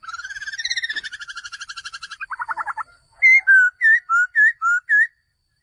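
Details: Male laughingthrush calling. A long nasal pulsed rattle drops into a lower buzzy stretch. A series of six short, evenly spaced whistled notes follows, each with a slight up-and-down inflection.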